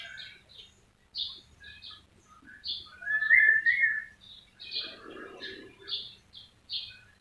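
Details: White-rumped shama singing a varied phrase of short whistled and chirped notes, a louder warbling burst in the middle, with a low steady hum underneath.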